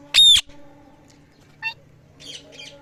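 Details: Parrot making assorted noises opens with a loud, piercing squawk, then a short nasal call and two soft raspy chatters, over a constant low electrical hum.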